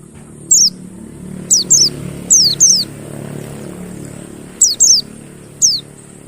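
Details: Mountain white-eye, used as a lure to coax silent birds into singing: sharp high notes sweeping downward, singly and in quick pairs, seven in about six seconds, over a low background hum.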